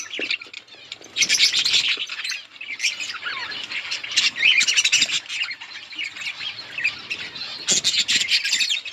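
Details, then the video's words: Outdoor colony of budgerigars calling as they feed: steady, crowded twittering and squawky chirps, rising to loud busy passages around the first, fourth and eighth seconds. "Budgies parrot eating and chirping sounds"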